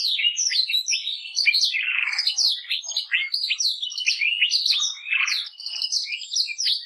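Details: Lively canary warbling: a nonstop stream of bright chirps, upward and downward slurs and a few rougher buzzy notes, loud and close.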